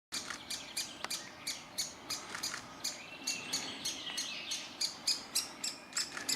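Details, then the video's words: In a tree nest cavity, Great Spotted Woodpecker chicks beg with high, harsh chittering calls, repeated rapidly about three times a second in an incessant rhythm, while the parent pair feeds them insects. "Buntspechte füttern ihr Küken"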